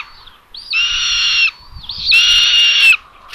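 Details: Two long, strained squeals at a Common buzzard nest in Tiszalök, Hungary, recorded by a nest camera on May 27, 2022, at midday while the mother delivers food to the third chick. Each call is steady and rich in overtones, separated by quiet.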